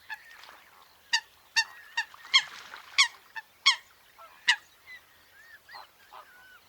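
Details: Coot in a natural wetland giving a series of loud, abrupt, nasal honks about every half second. The series trails off into softer, rising squeaky notes.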